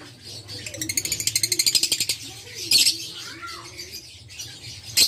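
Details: Violet parblue Fischer's lovebird kept in a cage, uttering a fast run of about a dozen rhythmic, grating chirps over one second, then scattered sharp squawks and a short falling whistle.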